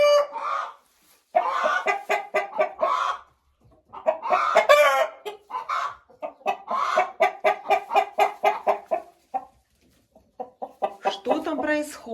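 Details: A hen calls loudly in bursts of harsh, repeated squawking clucks, pausing briefly between runs; she had been crying for about half an hour, and the keeper was unsure whether she was struggling to lay.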